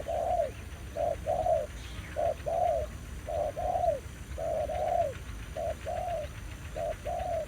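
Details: Spotted dove, a spirited wild male challenging a decoy at a Vietnamese trapping spot. Rhythmic series of two-part coos, short then longer and falling, about ten phrases in a row over low hum.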